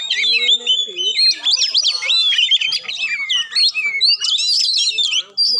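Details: A magpie-robin sings a bright, fast medley of warbled whistles, slurred rising notes and squeaky chatter, used as playback to stir a silent bird into singing.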